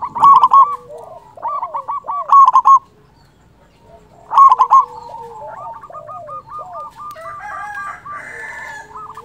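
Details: Loud-voiced local zebra dove used as a lure for trapping and to stimulate other doves. Three loud bubbling coo phrases in the first half, then a softer chorus of several doves cooing.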